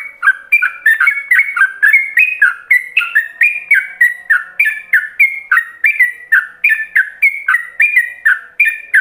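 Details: Yellow-vented bulbul singing in the ropelan style, a master song for other bulbuls to copy: rapid, unbroken run of loud whistled notes jumping between higher and lower pitches, about three per second, with no other sounds.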